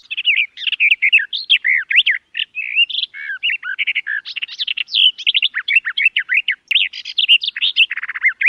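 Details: Garden warbler singing a sustained, hurried babbling warble. Looping, slurred notes follow each other in rapid bursts with only brief gaps, ending in a buzzy rattle; a clean recording with no other clear sounds.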